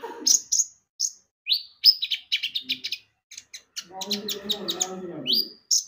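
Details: Javan white-eye singing lively, lure recording to prompt birds to sing: sharp high chirps and clipped whistles in quick runs, joined near the end by a lower buzzy chatter.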